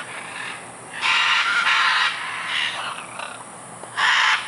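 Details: Scarlet macaws playing in trees at Tambor, Costa Rica, in February 2011: harsh, raspy broadband squawks in two loud bursts of about one second each, separated by quieter grating calls.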